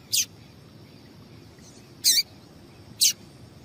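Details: Calling female double-collared seedeater, whose notes are played to stir up males for singing contests. Brief, piercing high chips: one, then a pause of nearly two seconds, then two more about a second apart, over quiet hiss.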